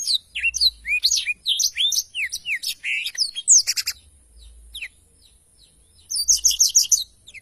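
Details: Black-throated canary singing a varied sequence of high chirps and whistles, followed by a pause and a rapid trilled burst of repeated notes.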